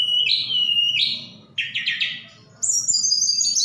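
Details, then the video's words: Javan bush lark from Sukabumi, a vigorous singer with fill-ins imitating cililin and sikatan londo; a sustained warbled whistle, a rattling trill, then a high wavering whistle. "Tledekan Gunung Gacor Sukabumi"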